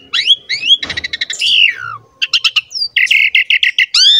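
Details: Asian pied starling in 'gacor mompa' song used to prompt young starlings: upslurred whistles, a harsh rasp, then quick stacked chips and a run of regular rattling notes ending in a bright upswept whistle.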